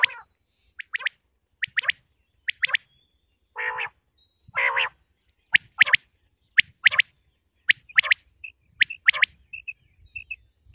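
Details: Pakistani common quail in Punjab calls with crisp, sharp, high two- and three-note bursts, repeated about once a second, broken by two low nasal buzzy notes and followed by soft piping dots.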